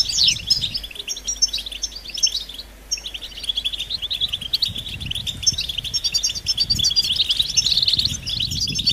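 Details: Mating calls of European goldfinch meant to rouse a silent male to sing: rapid, high tinkling twitter with quick rising and falling slurs, a brief lull around three seconds, then a busier, livelier stretch, with faint low rumble.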